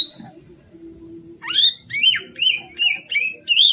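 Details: Oriental magpie-robin (kacer) singing as it gets dark: a soft opening note, then a rising sweep followed by five fluty, wavering whistles spaced about half a second apart.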